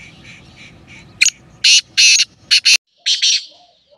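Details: Harsh rasping call of a black francolin: a sharp opening note, then several loud grating notes in a quick burst, ending with two fainter rasps. Soft background hiss.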